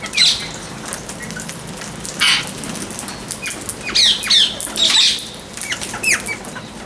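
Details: Parrot chirps mixed with noisy rustling bursts, possibly flapping wings: brief high chirps come in loose clusters, loudest near the middle and end.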